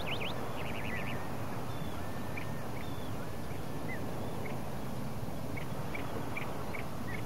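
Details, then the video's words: Piping plovers on Plymouth Beach, Plymouth, Massachusetts, 2011: a quick run of short whistled notes at the start, then scattered brief peeping calls over a strong low roar of surf and wind. "Piping Plovers, Plymouth Beach 2011"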